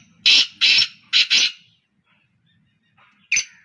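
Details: Three black francolins calling continuously: harsh, grating notes, four in quick succession, then a pause before another rasping note starts the next phrase.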